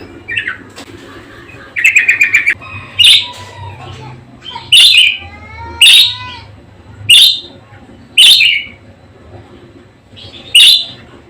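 A budgerigar chatters in short, buzzy bursts with scratchy notes and rapid clicks, about one phrase every second or two.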